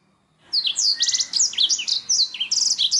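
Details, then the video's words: Canary song for stimulating other birds' singing. After half a second of silence, bright high trills and swooping whistles start abruptly and continue in quick, varied phrases. "Terapi burung kenari"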